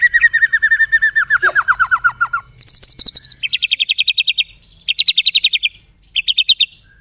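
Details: Murai batu (white-rumped shama) delivering a loud song laced with canary and cililin mimicry: a descending run of quick notes, then bursts of rapid, high, rattling chatter separated by brief pauses.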